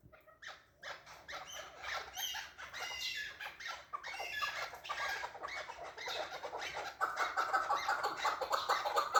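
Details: Chukar partridge calling: scattered clucks build into a fast, accelerating chatter of raspy chuk notes that grows louder and more continuous.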